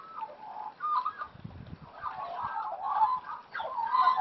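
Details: Wild Australian magpies playing give a rambling, gurgling warble of mid-pitched notes that runs without pause, with a few soft low thumps partway through.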